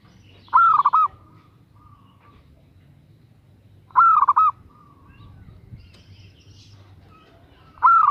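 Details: Female zebra dove calling to lure a male: three mid-pitched coo phrases roughly every three and a half seconds, each opening with a rising note and breaking into a quick rolling burst of soft trilled coos, with quiet low hum between.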